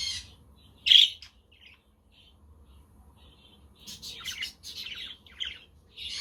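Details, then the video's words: Budgerigars, with a quaker parrot and conure in the background, on a sunny, windy day: one sharp loud chirp, a quiet gap with faint twitters, then a burst of scratchy warbling chatter. "Parakeet Friends for your LONELY budgie birds"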